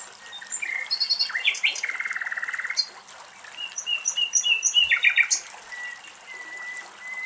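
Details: A common nightingale recorded at very close range in Greece sings varied phrases of rapid repeated notes, a fast buzzy rattle and rising whistles, with other birds chirping and faint running water behind.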